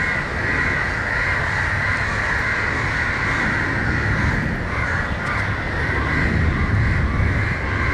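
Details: Mobbing crows at Matara, Sri Lanka, defending a struggling crow from a dog. A sustained wall of raucous, overlapping caws continues throughout, with heavy low-pitched rumble from nearby traffic.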